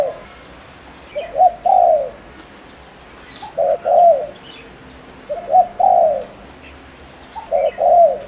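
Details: Spotted dove from Ninh Thuận, Vietnam, used as a lure to excite males into calling: low, mellow coo phrases of two or three notes ending in a longer swelling note, repeated about every two seconds, with faint high insect buzzing.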